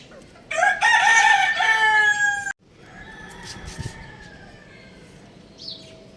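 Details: A young rooster playing on a roof lets out a loud, strained crow lasting about two seconds, then a fainter, drawn-out falling call, with a brief high squeak near the end.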